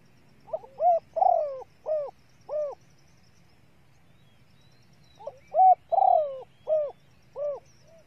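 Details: ['Female spotted dove cooing to stimulate males: two matching phrases, each a short note and five deep hollow coos with a harsher, longer second coo, separated by a silent gap of about two and a half seconds.']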